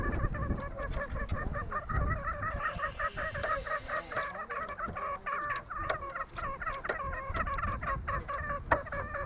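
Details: Green junglefowl from Lombok giving dense, continuous runs of short harmonic clucking notes, several each second, with a brief higher rasping overlay partway through, over a steady low background rumble.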